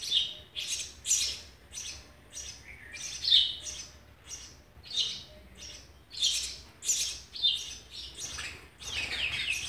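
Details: Sparrows at feeding time, June 2020: a dense run of sharp, high chirps and squeaky notes, repeated roughly every half second to a second, some overlapping, with no other clear sounds.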